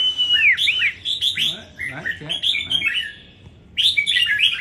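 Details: Caged red-whiskered bulbul from Đồng Nai singing in a competition: a long rising whistle opens quick runs of rich, warbling notes, a lower rough sound briefly beneath mid-phrase, a short pause, then another bright burst of phrases.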